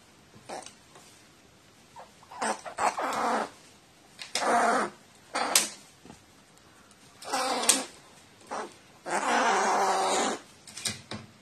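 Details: Crow reverting to nestling-like behaviour when given water, 29 March 2018; a series of loud, harsh, nasal begging cries, some drawn out, coming in bursts separated by short pauses.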